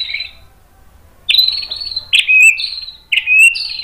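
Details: White-rumped shama song meant to provoke other shamas to sing: after a brief soft note and a quiet gap, three loud phrases of rich slurred whistles follow, each starting abruptly and held briefly.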